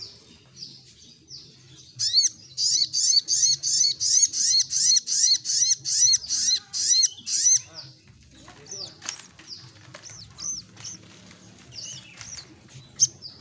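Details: Lively 'gacor ngleper' olive-backed sunbird: a rapid, regular run of about sixteen high, ringing, arched notes lasting some six seconds, then scattered thin, sharp chips and twitters.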